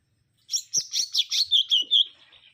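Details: Mangrove whistler singing a rapid run of about eight slurred whistled notes that descend gradually in pitch, the last notes lower and drawn out, in a quiet setting.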